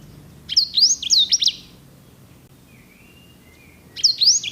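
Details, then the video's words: Edel/Herda sanger canary, a breed used as a master song for training canaries. Short bursts of a few high, looping whistled notes separated by a long quiet gap. "KICAU SANGER GACOR JERNIH VOLUME PEDAS!"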